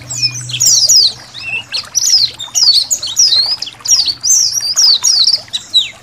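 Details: Indonesian white-eyes singing in a colony recording used to train songbirds: continuous high, twittering downslurred whistles in rapid clusters, with water trickling and a low hum at the start.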